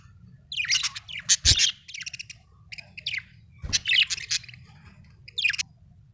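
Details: Budgerigar, described as happy, chirping: scratchy warbled bursts of chatter and short buzzy notes in irregular clusters, with gaps between, over a low background hum and a couple of thumps.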